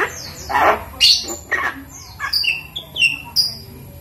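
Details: Captive Javan myna, five months old, hand-raised from a chick and learning to speak; a harsh rasping squawk followed by a series of short, clear whistled notes and chirps, roughly two per second.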